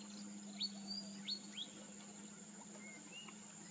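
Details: Pacific golden plover in Cambodia giving clear, high whistled notes that slur sharply downward, a few within two seconds, then two softer whistles, over a steady insect drone and low hum.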